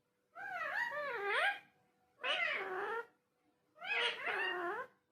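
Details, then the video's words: Talking parrot giving three drawn-out, warbling meows roughly one and a half seconds apart, each with a dipping, rising contour, in a quiet indoor setting. "Talking Parrot"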